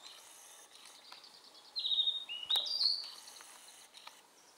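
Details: Narcissus flycatcher singing from a power line on a dim, tree-lined mountain path on Mount Maya, Japan, 4 June 2017: clear, drawn-out whistled notes, one falling slightly and one rising, over faint insect-like buzzing and quiet background chirps.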